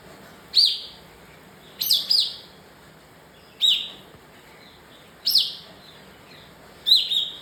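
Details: Agitated bar-winged prinia calling: sharp, high, downslurred chirps, some single and some in quick pairs, spaced irregularly every one to two seconds over a soft steady hiss.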